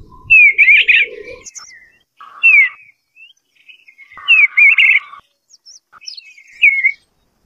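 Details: Eastern bluebird delivering several warbled phrases, each starting with a slurred whistle and breaking into a rich burbling cluster, separated by brief pauses, with a final clear falling note.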